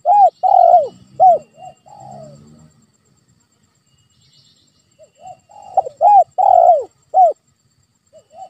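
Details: Spotted dove lure call used to provoke a quiet pet dove into calling: two phrases of hoarse, arched coos with soft lead-in notes, separated by a pause, with faint low murmuring between them.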